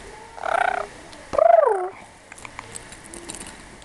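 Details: A pet lorikeet makes two short, voice-like talking utterances, a steady nasal phrase then a rising-and-falling warble, with soft clicks and room noise after.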